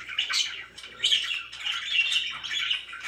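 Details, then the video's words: Pet budgies, described as happy, give harsh squawks and bright scratchy chirps in quick bursts. "VERY HAPPY BIRDS #chirpingbirds #budgie"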